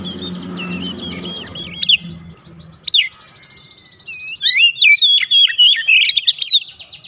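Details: White-rumped shama song used to provoke other birds: soft repeated whistles over a low hum at first, then sharp upswept notes and a loud burst of rapid, varied whistled phrases near the end.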